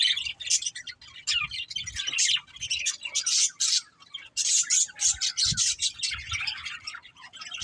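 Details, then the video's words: Budgerigar chirping: loud, buzzy squawks and harsh chatter come in bursts separated by brief pauses, with the flock calling over one another. "Beautiful Budgies Chirping Sounds"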